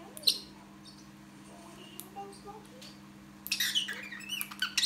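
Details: The parrotlet, named Ozzie, imitates R2-D2 from Star Wars with robot-like beeps: scattered high squeaks and sliding whistles, then a dense burst of chirpy electronic-sounding warbles, over a steady low hum.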